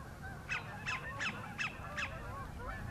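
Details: Sandpiper courting a mate in Horicon Marsh's northern end, giving five sharp downslurred notes spaced roughly every third of a second against low background noise.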